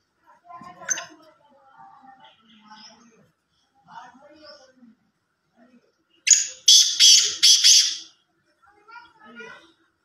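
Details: Black francolin (kala teetar), Sindh. Soft, murmuring voice-like sounds come first. After about six seconds a loud rasping call starts: one short lead note, then three grating bursts close together.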